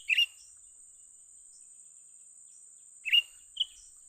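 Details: Bulbul, young, during trapping: two bright chattering bursts about three seconds apart, the second followed by a short clear note, with a steady shrill hiss behind.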